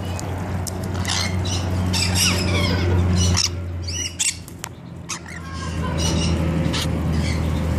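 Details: Rainbow lorikeets taking a bath at an ostrich ranch, giving harsh, noisy screeching squawks in quick irregular bursts, loudest in the first half, over a steady low mechanical hum.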